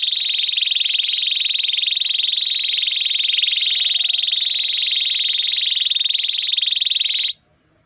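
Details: Long rolled canary song for mastering young singers: an unbroken, buzzy, rapidly pulsing trill held steady for about seven seconds before stopping abruptly into silence.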